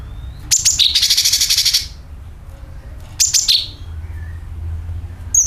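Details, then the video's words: Sooty-headed bulbul calling as a lure for birds: rapid high chirps followed by a harsh, rattling buzz lasting about a second, then a second short burst of falling chirps and a final high note. "CUCAK KINOI ||PANCINGAN PALING AMPUH TERBUKTI PASTI IKU BUNYI SUARA PANGILAN + NYERET"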